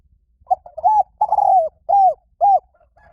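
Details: Spotted dove singing in the Thai 'liw tan' style, used as playback to lure and train doves to sing back. Mellow cooing phrase: quick stuttered coos, a long drawn coo, then two separate falling coos, clean and close.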